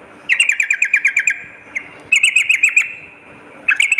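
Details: Sooty-headed bulbul used as a lure, morning and night: a row of about ten quick descending chirps, a short gap, a second faster run, then a final brief phrase.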